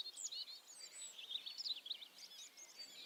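Titmouse calling: busy, high, thin twitters and short chipping notes in quick overlapping bursts, with faint background hiss.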